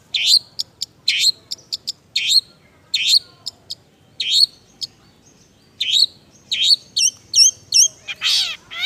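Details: Semi gacor isian singing from a long-tailed shrike: a dense run of sharp chirps and slurred upward notes, closing with a string of hooked notes and a buzzy rasp.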